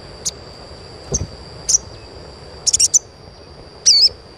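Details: Asian pied starling chirping, played as a stimulus to get untrained starlings singing often: short, very high chirps at irregular intervals, ending in a brief warbled note, over a steady high electronic whine.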